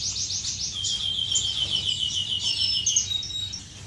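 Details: Finch courtship in an aviary, dated 10 May 2015: a loud run of rapid, evenly spaced high chirps, roughly four per second, then thin whistled notes as other finches twitter.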